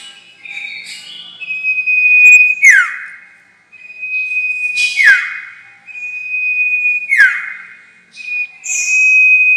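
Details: Sirtu call played to lure birds into traps: a steady high whistle held for about a second, then a sharp descending slur, repeated roughly every two and a half seconds, with a buzzy note at the end.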